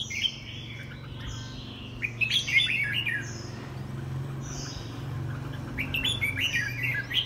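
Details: Singing-match white-rumped shama, kept as a cage bird in Vietnam, pouring out bursts of sharp whistles, twittering trills and looping notes separated by brief gaps, over a steady low hum and occasional clicks.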